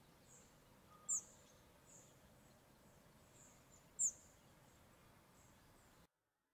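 Spotted flycatcher giving two thin, very high, sharp calls about three seconds apart, with soft faint high notes between and a quiet background hiss.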